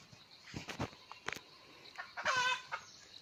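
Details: Scattered knocks and faint clucks precede a single short, ringing crow from a wild red junglefowl cock. The bird was lured with a hen, and the recording dates from 17 March 2020.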